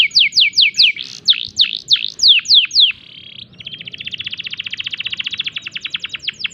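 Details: Canary in breeding condition delivering clear downward-slurred whistles in a steady series, a short buzzy stretch, then a long, very rapid rattling trill of even notes.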